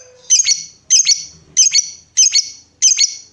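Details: Lovebird calling in a prompting recording for other lovebirds: five harsh, squeaky double-note chirps, each repeated roughly every 0.6 seconds, in an otherwise quiet setting.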